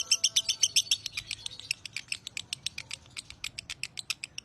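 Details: Lovebird of the broty line singing: loud ringing chirps at first, then a steady fast train of thinner ticking notes, about four per second.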